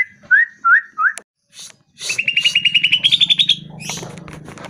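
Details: Greater green leafbird (Chloropsis sonnerati), song: used to make caged birds answer and sing.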